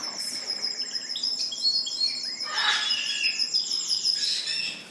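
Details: On January 4th, several Spanish Timbrado canaries in a bird shop sing at once, a dense tangle of bright high trills, rapid chirps and rolling metallic runs overlapping without pause; each bird has a different song.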